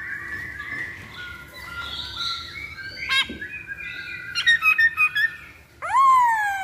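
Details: Masked laughingthrush song used as a lure to make birds sing: varied whistled and squeaky phrases around the mid range, a burst of quick rattling notes, then a loud descending squeal near the end.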